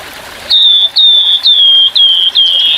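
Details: Grey-headed fulvetta singing in its rough 'tembakan kasar' style as a birdsong training recording, with trickling water behind. Five clear, slightly falling whistled notes, each about half a second long, come in a steady, evenly spaced series.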